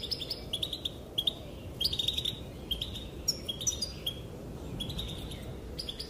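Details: Female European goldfinch calling, calls said to make males dance: bright twittering chirps in short clusters, with liquid, tinkling notes scattered through six seconds and brief gaps between bursts, over a steady low background hum.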